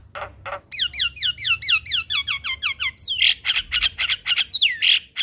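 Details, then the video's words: Javan myna song played each morning as a lure for training a cage bird: a run of quick paired descending whistled notes, then loud harsh squawks and chattering bursts. "Kasi pancingan Suara Jalak Kebo Tiap Pagi"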